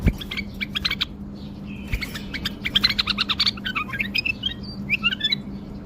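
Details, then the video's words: Male pet bulbul in Baghdad, Iraq, during a wing-flicking song display: rapid sharp clicks and chirps that run into lively warbled and whistled notes, loud and continuous, over a low hum. "تغريد بلبل اليف طك جناح برواز"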